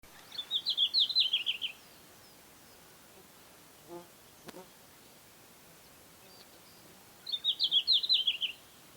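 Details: Red-flanked bluetail, a summer breeding bird of Hokkaido from high mountains to lowlands: two short warbled phrases of quick high notes, each about 1.5 seconds, falling slightly at the end, separated by a quiet gap with faint clicks.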